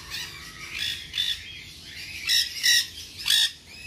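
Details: Baby nanday conure, tame-sized and ringed, in a pet shop at Bangabazar market: softer raspy notes first, then three loud harsh squawks near the end.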